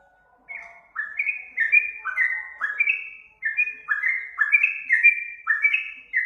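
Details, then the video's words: Trucuk, the yellow-vented bulbul, sings a training song for other cage birds. After a brief pause come rich whistled phrases of quick notes that slur up and down, delivered steadily for several seconds over silence. "Masteran burung trucuk paling banyak digunakan"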